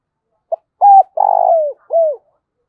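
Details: Clear, close coo phrase from a decoy spotted dove: a short opening note, then a steady hoot, a drawn-out throbbing coo dropping in pitch, and a curved final note, with nothing else audible.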